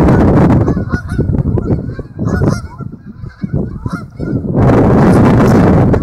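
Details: Geese arriving at a lake in two groups and landing one after another, recorded on a built-in camera microphone. Repeated nasal honks overlap for several seconds, then a loud broad rushing noise covers the last part.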